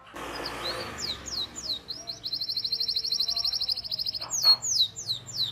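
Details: Canary singing a long tutoring song for young and reluctant singers: quick descending whistles leading into a long even roll of about two seconds, then more sweeping notes.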